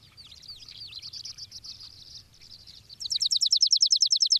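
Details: A Chipping Sparrow in an apple tree on a foggy day gives soft, high chips and twitters, then a loud, dry, rapid trill of about a dozen quick identical notes.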